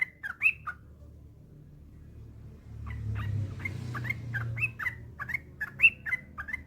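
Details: Yellow-vented bulbul singing, a master recording for training other bulbuls: a brief bubbly burst, a pause with low rumble, then a lively series of liquid chirps and bright whistled notes.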